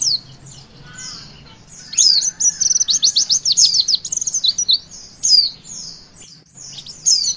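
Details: Javan white-eye song played to stimulate young birds to sing: high thin twittering with a rapid run of steep descending notes in the middle, then more scattered high chirps.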